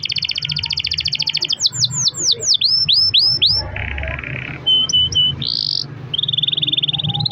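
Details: Canary singing to encourage other canaries to sing: rapid pulsed trill, then a run of deep downward-curving whistles, a lower buzzy passage, short flat whistled notes and a steady high trill, over background hum.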